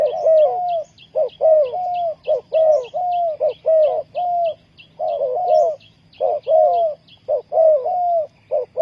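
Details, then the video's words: Spotted dove used as a decoy to lure wild doves for trapping, Ninh Thuận. Repeated mellow coos around a low middle pitch: a short note, then a longer, slightly falling one, in quick pairs. Faint higher chirps and a low hum. "นกเขาใหญ่สายต่อดิน,Tekukur pikat,Cu gáy Ninh Thuận,Sound Of dove"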